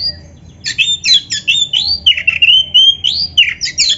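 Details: Oriental magpie-robin in full, rich 'gacor isian' song, used as a lure so other magpie-robins hear a rival and answer. A rapid run of varied whistles, rising slurs and scratchy notes after a short pause, over faint low hum.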